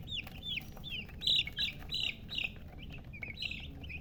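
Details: Chicks chirping steadily: a quick run of high, falling peeps, about three per second, some louder than others, with low background rumble throughout.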